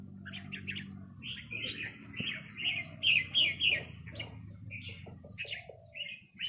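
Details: Red-whiskered bulbuls trading harsh rik calls with a resident territorial bird: rapid scratchy chattering notes about three per second, loudest in the middle, over a low hum and faint speech.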